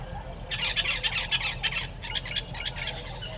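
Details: A red-billed hornbill at its nest tree at Gowrie dam waterhole, Djuma Game Reserve, Sabi Sand, South Africa, 30 January 2020 around 10:09, gives a rapid, uneven run of harsh clucking notes, about three or four per second, over a low steady background rumble.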